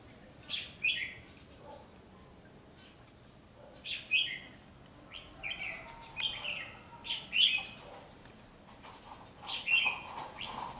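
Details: Red-whiskered bulbul at a trapping session on 1 July 2020, in training for song competition; short bursts of bright warbled phrases come every second or two, mostly high-pitched, with faint background hiss and a steady high tone.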